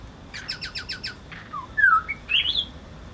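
A laughingthrush sings a quick burst of about seven harsh chattering notes, then a few clear, slurred whistles that climb higher in pitch.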